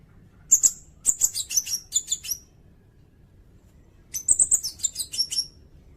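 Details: High-pitched sirindet song meant for tutoring songbirds and luring: two phrases of sharp, slurred high notes, each phrase a quick jumble of chips and short descending whistles, with a pause between.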